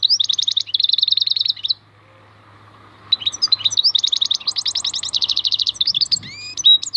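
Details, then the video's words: A goldfinch, locally maknine khalwi, sings a dense stream of fast ringing trills and buzzy chirps. After a short silence it resumes with varied twitters and rising whistled slurs. "MAKNINE KHALWI super chant"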